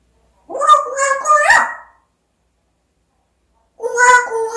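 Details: African grey parrot talking indoors: two bursts of speech-like, harmonic vocal phrases with gliding tones, separated by nearly two seconds of silence.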